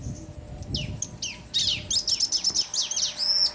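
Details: Duet of male and female bar-winged prinia used to rouse other birds; scattered buzzy descending sweeps building into a dense run of high notes and ending with bright arched chirps.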